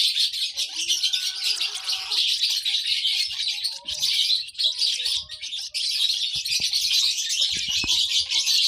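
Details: Baby lovebird chirping: dense, continuous high-pitched chatter of rapid overlapping chirps, with a few faint lower tonal notes in the first two seconds and soft clicks.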